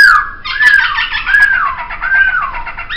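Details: Laughingthrush (poksay) song used as a training recording for songbirds: loud, slurred whistled phrases that swoop up and down, repeated roughly every 0.7 seconds over a rich harmonic base, in a quiet setting.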